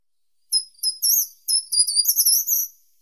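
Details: Short-toed treecreeper giving two high, thin song phrases in quick succession, each a hurried string of sharp notes climbing slightly in pitch and ending in a drawn-out note; clean recording with nothing else audible.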